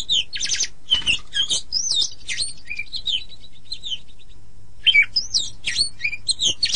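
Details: Oriental magpie-robin singing a training song for songbirds. Fast scratchy notes and looping whistles open the phrase, the song softens to faint notes midway, then loud whistled and grating phrases resume.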